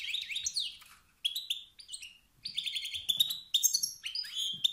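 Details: Male European goldfinch giving rapid calls that stir rival males to sing out of competition and dominance: bright, high twittering notes in quick bursts, some buzzy and falling, with short pauses between phrases.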